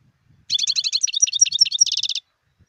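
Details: Wild European goldfinch in full song: a continuous, varied twitter of high, liquid notes and slurs over almost two seconds, ending in a fast, even trill.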